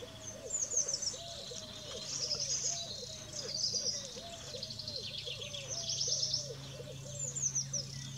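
Eurasian blue tit: high, thin chirps and quick trilled bursts in clusters. A low, soft hooting note repeats steadily underneath, with faint background hum.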